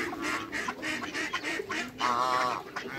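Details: Backyard pair of geese, an African male with a Toulouse female paired to produce hybrids, uttering nasal, buzzy honks in quick succession, the strongest and most drawn-out call near the end, over steady background noise.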